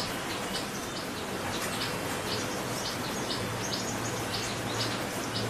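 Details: Common tailorbird, a resident of a backyard in West Bengal, India, hopping about: short, sharp high chirps repeated roughly twice a second, set against a steady background hiss with a faint low hum.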